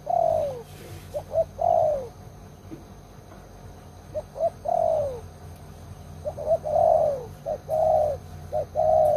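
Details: Spotted dove serving as an old trapping decoy with a big voice, giving long descending coos with short notes before them, in bursts separated by a quiet pause of about two seconds.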